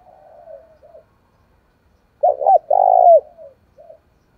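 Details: Spotted dove cooing to stir fighting and lure wild doves: soft, low wavering notes, then one loud phrase of two quick hollow notes and a drawn-out coo that falls away, ending with a faint short note.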